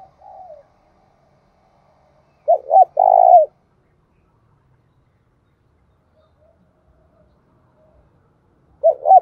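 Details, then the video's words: Cooing of a decoy spotted dove used for luring wild doves: a soft trailing note, then a clear phrase of two quick notes and a longer coo, and the start of another phrase after a long pause. "chim cu mồi gáy hay dùng kích bổi rất hiệu quả"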